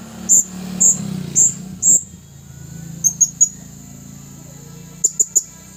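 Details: Blue-crowned hanging parrot, a caged red-throated male used to lure wild birds, 27 August 2021: four evenly spaced shrill chirps, a pause, then two quick triplets of thinner, very high notes.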